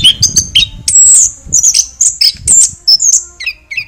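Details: A chestnut-backed thrush sings high, clear whistled notes and sharp squeaky chirps in uneven phrases, ending with a pair of lower falling whistles, over a low rumbling background.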